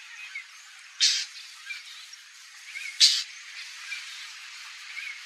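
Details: White-banded mockingbird (Mimus triurus) in Brazil gives two harsh, raspy call notes about two seconds apart, over steady hiss and faint thin chirps in the background.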